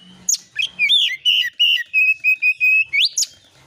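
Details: Oriental magpie-robin singing a lure song with fill-in phrases: a dozen loud, clear whistled notes repeated about three per second, mostly steady in pitch, ending in a sharp rising sweep.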